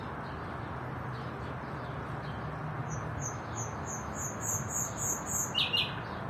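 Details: Common nightingale song: after a quiet start, a series of about ten high whistled notes swelling steadily louder, ending in a lower, sharper burst, over a low steady background hum.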